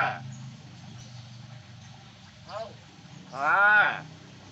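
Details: Pet common hill myna talking, conversing with its keeper: a short, falling, voice-like syllable, then a louder drawn-out speech-like phrase with rich stacked harmonics near the end, over a low steady rumble.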